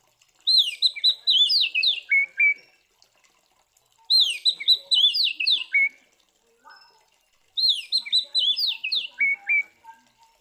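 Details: Combative song of an Oriental magpie-robin, used to provoke rivals: three near-identical phrases of fast looping whistles closing on lower slurred notes, repeated about every three and a half seconds, with faint background sounds between.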